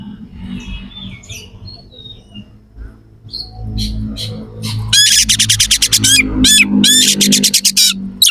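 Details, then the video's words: Oriental magpie-robin in full, harsh song with coarse fill-in phrases. After a quiet, low-humming start, loud rasping notes burst in and repeat rapidly in dense bursts over a steady low drone, used to make rival birds agitated. "Suara kacer gacor NEMBAK ISIAN KASAR"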